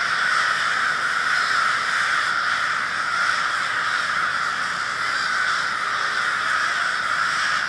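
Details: A group of crows, a murder, in Minneapolis, Minnesota, February 20, 2020, gives a steady mass of hoarse overlapping caws, with slight swells in volume.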